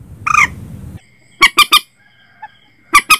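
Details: Common Moorhen recording meant for night net-setting: a short raspy squawk opens, then two sets of abrupt, loud clipped notes in quick succession, with a soft low murmur underneath.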